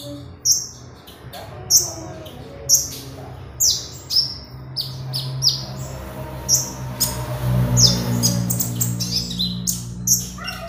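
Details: Oriental magpie-robin singing actively as a training lure: sharp high chirps repeated about once a second over a steady low hum.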